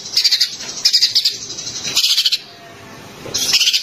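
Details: Green leafbird song played to stimulate a white-rumped shama to sing: bursts of high, sharp chattering notes repeated about every second, with short pauses and faint background hiss.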